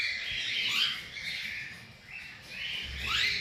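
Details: Cockatiel giving loud, sharp chirps that sweep steeply upward, about three calls in a few seconds with short gaps between, over a low background rumble.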